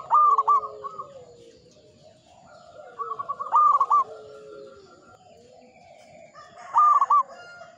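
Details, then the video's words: Ngepat Mataram rhythm from a local zebra dove, with brief clusters of quick, stammering coos delivered roughly every three to four seconds, separated by quiet gaps. "Perkutut lokal gacor IRAMA NGEPAT MATARAM"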